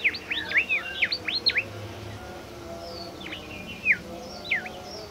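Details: A shy, rare bimoli bird stirred up by a lure recording. It gives a quick series of sharply sweeping, V-shaped whistled notes, then a pause and a few more scattered swooping notes over quiet background hiss.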